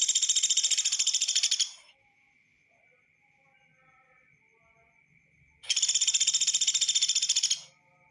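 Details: Sunda pygmy woodpecker in a training recording for songbird keepers: two loud, dry, buzzy rattling trills of rapid even pulses, each lasting almost two seconds, separated by a steady thin high whistle-like tone and near silence.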